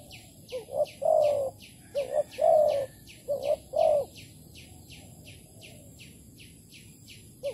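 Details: Spotted dove in Malaysia, recorded on 11 August 2020 while trapping birds with a decoy: three quick phrases of short double coos and a longer falling coo, then quiet, under continuous rhythmic high chirps throughout.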